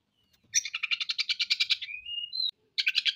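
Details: Oriental magpie-robin (kacer) in full 'gacor' song, delivering harsh 'materi kasar' material from its 'isian' repertoire: a rapid rattling burst of about fifteen sharp chirps, then thin rising whistles, then another fast chattering burst.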